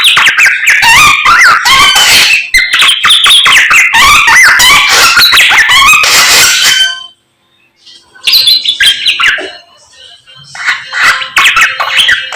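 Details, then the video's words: Samyong singing in the morning: about seven seconds of dense chattering and whistled song, then near silence, then softer scattered phrases. "SAMNYONG GACOR Menggemaskan DI PAGI HARI"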